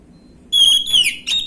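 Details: Orange-headed thrush song used as a lure in the gamblingan style; a high steady whistle that bends downward, followed by a brief separate note.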